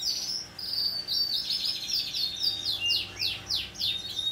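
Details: Pacific parrotlet, hand-tame, 26 November 2021: high twittering chatter that turns into a series of sharp, descending squeaky chirps roughly every third of a second near the end.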